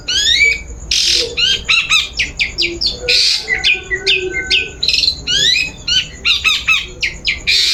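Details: Lure song of a long-tailed shrike for prompting another bird to sing: fast, varied chatter of sharp chirps and rising swept whistles broken by harsh rasping bursts, delivered almost continuously, with a steady high faint tone in the background.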